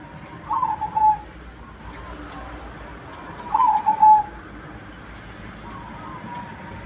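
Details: Zebra dove cooing: two clear phrases of rapid pulsed coos roughly three seconds apart, a fainter third at the end, over steady background hiss.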